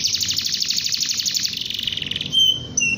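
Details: Canary in full song calling to a rival, delivering a fast, evenly repeated chattering trill that gradually slows, followed by short pure whistled notes at the end.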